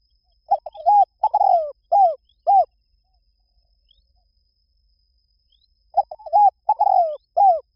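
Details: Two cooing phrases from a spotted dove are separated by roughly three silent seconds. Each has quick introductory notes, a drawn-out falling coo and a pair of separate rounded coos. The surroundings are quiet.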